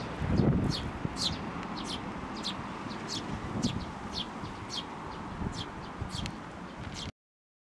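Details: Sparrow parent arriving for food and abruptly turning fierce, Tenmangu shrine, 16 May 2024; quick high chirps at a steady, rapid pace above a low background hum, ending in silence.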